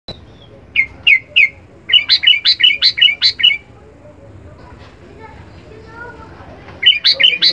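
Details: Sooty-headed bulbul in full song, a training recording for captive songbirds: bright chirped notes in quick runs, three spaced notes then a fast burst of about eight, a quiet pause, and another rapid run at the end.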